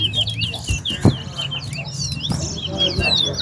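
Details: Chestnut-bellied seed finch, locally towa towa, singing in a bragging-rights match between West Coast and West Bank: a continuous, chattering stream of high whistled notes, with knocks, a murmuring crowd and voices counting.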